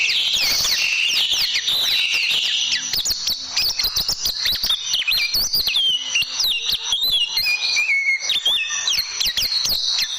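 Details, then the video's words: Long tembakan passage from an oriental white-eye, used to tutor caged birds: a nonstop high twittering of rapid rising and falling whistles, with clicking ticks running throughout. "Masteran Burung Pleci Dan Tembakan"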